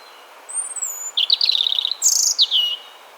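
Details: European robin autumn song from a garden in Hampshire, UK, 2020, sung by both sexes to defend territory and less rousing, a little sad: a thin high whistled note, then quick sweet twittering phrases and bright sliding trills.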